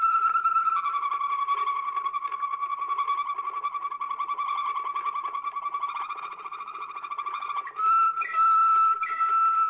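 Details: Waterslager canary, from an old record made in Belgium, sustains a long fast water-like bubbling roll at an even pitch, then switches to loud clear whistled notes with short bursts.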